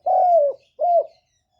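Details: Caged decoy spotted dove calling to excite other doves: a long, steady, hooting coo followed by a shorter, rounded one, in quiet surroundings.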